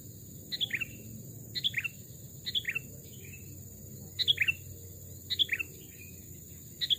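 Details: Sooty-headed bulbul kept in a cage after wild capture, two or three years old, heard in a forest: short two- or three-note chirped phrases repeated roughly every second, steady and clear.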